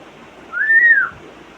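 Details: Pet African grey parrot imitating a sound: one smooth, arched whistle that climbs and falls over about half a second.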